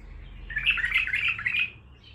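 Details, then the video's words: A raw (untrained) Baghdadi-type bulbul, kept for show, gives a quick burst of bright, warbling chatter lasting just over a second, mid-to-high pitched and rapidly varied, with a faint hum beneath. "بلبل طور بغدادي خام"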